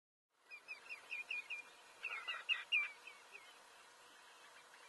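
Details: Osprey calling: a quick run of short, clear whistled chirps that builds to louder slurred notes midway, then tails off into softer repeats over a steady background hiss.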